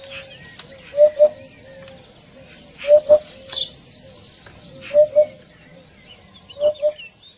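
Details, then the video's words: A Eurasian hoopoe gives soft, low, hollow paired hoots, 'oop-oop', about every two seconds, a flock-gathering call; faint chirps from other birds are heard behind it. "Tiếng kêu của chim gõ kiến đầu rìu gọi đàn"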